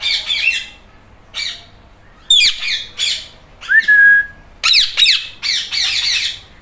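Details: Talking green Indian ringneck parrot mimicking a cat's meow, giving a series of short harsh squawks in bursts with one clear, level whistled note in the middle, each call separated by brief pauses.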